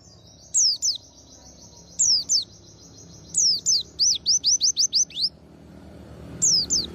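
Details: After its morning bath, a white-eye sings bright, high falling whistles in paired notes and a quick run of about seven swooping notes, with a steady thin high tone beneath.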